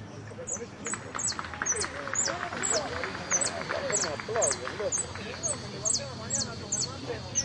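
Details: Jilguero competing in the Blanco de Repique category at the Copa Federación, repeating thin, high, downslurred notes more than twice a second with uneven spacing, over a crowd of men talking.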